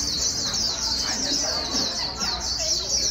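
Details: Fast líu warbling of a white-eye used to stimulate a newly caught bird: a dense, high, rapidly pulsing twitter running throughout, over faint lower chatter.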